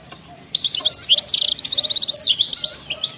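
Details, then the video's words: Wild-type European goldfinch delivering a rapid, liquid twittering phrase of quick chirps and rolling trills, starting abruptly and trailing off into scattered notes. "أطلع لي اي حسون ما يغنيش وسمعو هذا التغريد 😱😠 راح يغني بدون مقدمات بتبتة جنونية وغناء خلوي خرافي"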